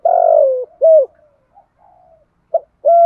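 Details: Spotted dove giving its full cooing phrase, a recording used to provoke and lure other doves: a long, low, slightly falling coo, a shorter coo, soft murmurs, then a brief note and another clear coo.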